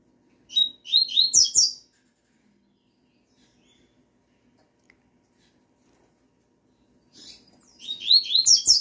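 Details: A Double-collared Seedeater singing in response to a female's call gives two bursts of quick, bright, warbled notes, each over a second long, separated by about five seconds of near silence.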